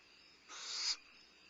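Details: Barn owl owlet, limping and using its wings for balance, at Starr Ranch during a midnight meal on 2011-05-22: a single harsh, hissing screech lasting about half a second, swelling in loudness before cutting off, over faint night background.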